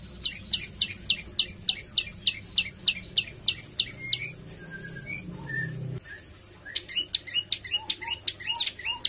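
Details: Javan tailorbird singing with varied song and rapid shots: sharp clicking notes repeated about three per second, a pause with a few soft whistles, then the rapid sharp notes resume, low rumble beneath.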